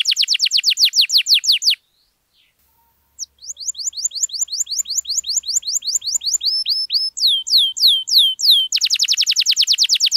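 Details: Canary in long, lively song used to prompt silent canaries to sing: rapid trills of descending whistled notes, a brief pause near two seconds, then faster rolling tours and a quick final trill, all high-pitched and clear.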